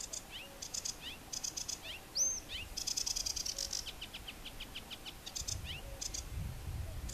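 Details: Song of a sedge warbler filmed south of Västerås airport, Sweden: a varied, hurried medley of high chattering bursts, sliding slurred whistles and a sharp upswept note, building into a dense scratchy trill, with low rumbling noise late on.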